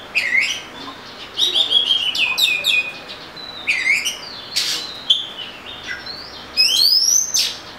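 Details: Oriental magpie-robin singing an energetic, varied song of sliding whistles, downward swoops and clusters of rapid chips, ending in a rising whistle.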